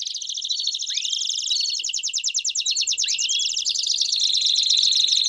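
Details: Group of Belgian canaries singing together, constant fast pulsing trills overlaid with repeated rising whistled slides and a bright chattering close.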